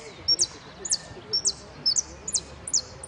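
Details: At a Pirán finch-singing contest, 25/09/2016, 'amarillo sin cierre' class, a saffron finch gives very high, steeply falling chips, each preceded by a brief thin note, about every half second; faint low voices murmur underneath.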